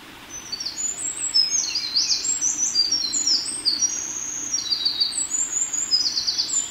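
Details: Eurasian wren singing in Hiroshima, Japan, on 14 May 2021: a long, loud, very high cascade of rapid trills and sharp twittering notes, running almost unbroken for about six seconds over a faint low background hum.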